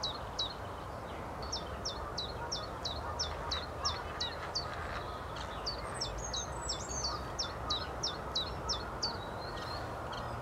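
A common chiffchaff repeats short, high, clipped notes about three per second in a steady chiff-chaff rhythm, with a second bird's twitter briefly overlapping and a low background rumble.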